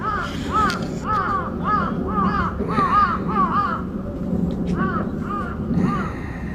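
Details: Crow's earthquake warning calling at Aoba-no-mori Park on 28 May 2017: a long run of about ten harsh, rasping caws at a brisk, regular pace, briefly pausing midway, against constant low traffic-like hum.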